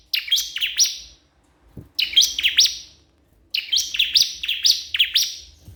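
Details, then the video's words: Crystal prinia calling to a rival, three separate bursts each about a second long of bright, rapid chirps and sliding buzzy notes, split by short silences, against a faint low hum. "cikris/ciblek kristal gacor memanggil lawan"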